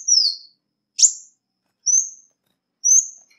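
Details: Ruby-cheeked sunbird call for luring birds: four separate high notes about a second apart, a falling whistled slur, one sharp upward chip, then two short level whistles, clean background.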